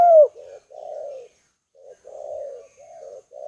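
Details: Spotted dove kept as a calling decoy, cooing steadily to draw rival doves in: a sharp opening note followed by a series of low, soft, hollow coos in short repeated phrases.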